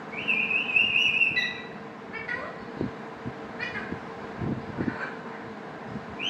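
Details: Indian ringneck (rose-ringed parakeet), kept as a pet talking parrot: a harsh, buzzy, sustained screech lasting about a second, then scattered fainter notes over a steady background hum and noise.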